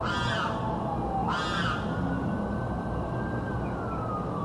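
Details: Unidentified bird in South Florida, said to scream day and night constantly: a long falling whistled tone, then one harsh, harmonic, arched scream, followed by a drawn-out steady tone that slowly falls away over steady background hiss.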